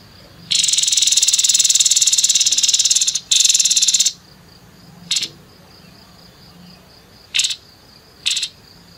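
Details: Grey-headed babbler with coarse 'nembak kasar' song, opening with a sustained three-second grating rattle, then isolated short buzzy bursts over a faint steady high whine.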